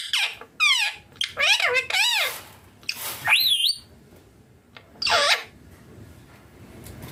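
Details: Indian green ringneck parakeet, a pet kept with its owner, calling naturally indoors: a quick run of high, wavering, squawky calls in short bursts over about four seconds, then a single harsh, rasping burst before the room falls quiet.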